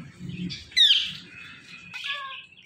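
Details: Talking Indian ringneck parakeet giving a sharp, high, raspy squawk, then a trailing harsh note and a nasal, voice-like syllable with stacked overtones, over a low indoor rumble.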